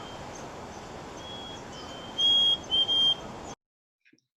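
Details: Black-capped Chickadee near Seattle gives its clear whistled two-note "fee-bee" or "hey sweetie" call, the second note slightly lower, heard once over steady background hiss.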